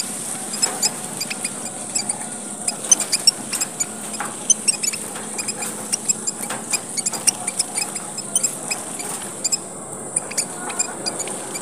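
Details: Papuan red munia lure recording: a long run of tiny, high squeaking chips, irregular and fairly dense, over a continuous high hiss with a soft low drone.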